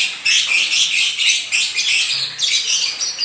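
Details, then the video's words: Kept lovebird, described as a husband's bird singing eagerly, giving a continuous shrill, high chattering song of rapid squeaky chirps in dense overlapping bursts with no pauses. "Burung Suamiku Gacor Gaezz"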